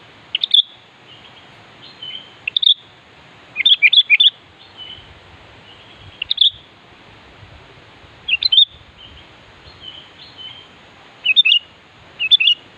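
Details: Sooty-headed bulbul, kutilang, singing in a lively gacor style to call a rival: short bubbly phrases of two to four notes come in bursts every couple of seconds, with faint quieter notes between them.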